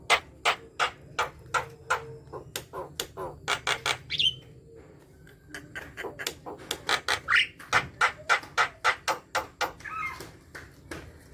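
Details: Javan myna in a chattering song played to prompt lazy mynas to sing: a long series of sharp, clicking broadband notes at about two or three per second, broken by occasional squeaky rising whistles, with a steady low hum behind.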